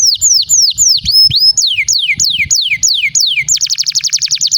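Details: Canary song for prompting caged canaries to sing: slow, loud descending whistled swoops in a steady series, switching to a fast, high rattling trill.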